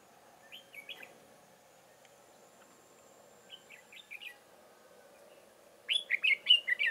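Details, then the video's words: Red-whiskered bulbul decoy bird, trapping in Chương Mỹ, Vietnam, on 7 October 2018; two soft warbled phrases of short whistles, then a loud rapid cluster of bright chirping notes over a low murmur. "Bẫy chào mào Chương mỹ"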